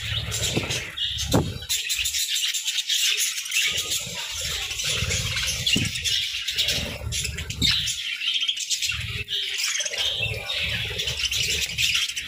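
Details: Budgies munching grass and nutrient-rich moringa as a winter feed, keeping up a steady busy twitter of high chirps throughout, broken by soft low crunching and pattering sounds.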